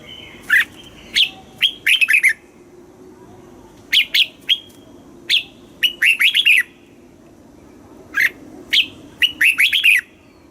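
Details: Red-whiskered bulbul song, played to excite caged bulbuls, lure birds or teach young birds: short bursts of bright, bubbly, warbled notes in phrases of three to five quick syllables every couple of seconds over a faint hum.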